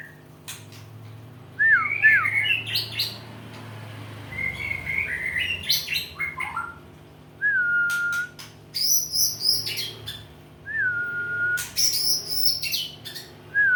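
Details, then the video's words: White-rumped shama in training, starting to sing with emotion: varied clear whistled phrases, some sliding down, some long level notes, mixed with sharp clicks and high rising notes, in a steady low hum. "ber proses, sudah mulai ada emosi nya"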